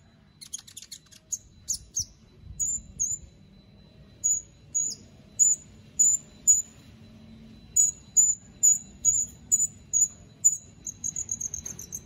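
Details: Captive white-rumped shama from Palu, Central Sulawesi, Indonesia, in an online singing contest. Scattered sharp chips, then clear high whistled notes in pairs and groups, closing with a quick run of high notes.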